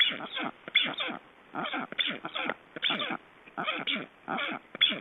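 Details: Estonian black storks during ringing, 29 June 2012: short rasping, downward-slurred calls delivered in quick clusters of two or three, the clusters repeating roughly twice a second across five seconds.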